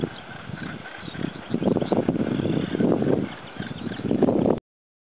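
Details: Harsh, croaking calls of Northern gannets at Bempton Cliffs, Yorkshire, building from soft rasps into loud grating bursts in quick irregular succession, before cutting off abruptly.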